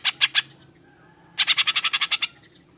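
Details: Green leafbird song built on cucak jenggot (grey-cheeked bulbul) material with rough bursts: three harsh clipped notes, a pause, then a quick rattling burst of about ten chattering notes.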